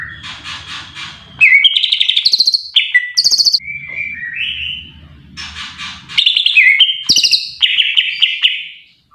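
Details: Greater green leafbird, described as a lively singing bird, delivering a varied, loud song of rich whistled phrases and rapid chattering trills, jumping between pitches with short pauses; a faint low hum runs underneath in places.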